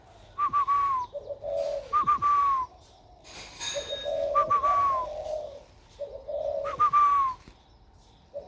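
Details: About one year old and raised by hand, a spotted dove begins cooing with a warm 'thổ' voice. Short, low coo phrases alternate with high stuttered falling notes, repeating about every two seconds.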